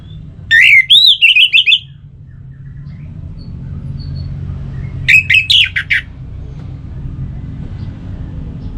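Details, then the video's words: Orange-headed thrush song, played to prompt kept birds into singing: two bursts of rapid, high chirpy and whistled notes, each about a second long and several seconds apart, over a steady low hum. "Gacor Saat dipancing Suara Burung ANIS MERAH Ini"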